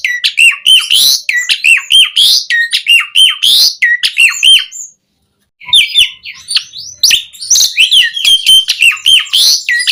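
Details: Asian pied starling (jalak suren) in busy 'gacor' song full of 'isian' variety, recorded to tutor starlings: quick repeated notes combining whistles and harsh squawks, about half a second of silence midway, then a renewed tumbling burst.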